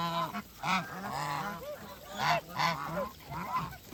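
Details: Geese eating on a farm give a busy run of nasal honks, short and harmonic-rich, overlapping from several birds, with a few louder bursts standing out above steady low chatter.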